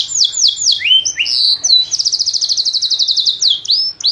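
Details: Varied canary phrases of sliding whistles give way to a fast, even trill of about ten notes per second, closing with upward-sweeping notes.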